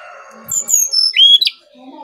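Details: Brown-chested jungle flycatcher, sung as lure song: one short phrase of clear high whistles stepping downward, ending in a bright sustained note and a sharp upturn.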